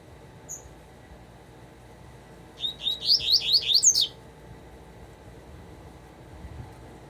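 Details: Double-collared seedeater giving a short burst of song after a lone faint high note: around eight rapid slurred chirps over roughly one and a half seconds, ending on higher notes, then quiet.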